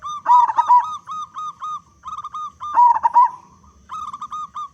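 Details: Big-voiced local zebra dove in full song, played to prompt other doves to sing: loud wavering coos alternate with long level trills of quick pulsed notes, the phrases following each other with barely a pause.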